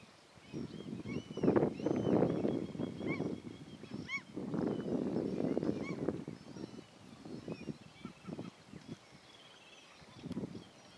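Common Gull giving a few short, nasal, slightly rising mewing calls over heavy low rumbling noise, possibly wind.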